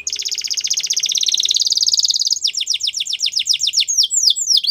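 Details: Singing Belgian canary as a model for young canaries, a long smooth fast trill that gradually slows into distinct downward-sweeping whistled notes.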